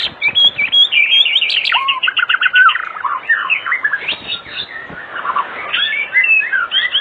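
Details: Active white-rumped shama singing as an afternoon lure for other shamas: a rapid chattering series of high notes, followed by varied whistled and slurred phrases that rise and fall.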